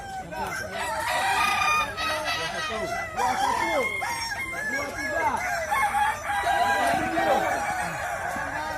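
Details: Kukuak Balenggek roosters at a crowing contest in West Sumatra, Indonesia: many long, wavering, multi-note crows overlap throughout, with crowd murmur and a dense background din.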